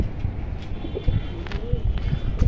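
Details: Pigeons give low, soft cooing notes against a rumbling background as it comes time for them to return to their loft.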